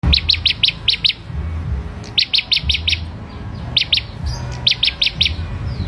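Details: Ashy prinia, a hand-raised bird reared from young, singing actively: bright rapid bursts of four or five sharp, evenly spaced high notes, repeated in several series with short pauses between, over a low background rumble.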